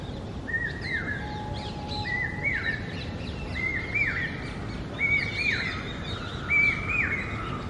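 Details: Common hawk-cuckoo, known as papiha or brain fever bird, giving a series of five clear whistled phrases. Each rises and then drops sharply at the end. They repeat about every 1.4 seconds and grow louder, over faint chirps of other birds and steady background hiss.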